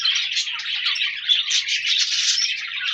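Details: Group of budgies singing on 14 January 2024, continuous twittering chatter of overlapping chirps and warbled phrases with no gaps.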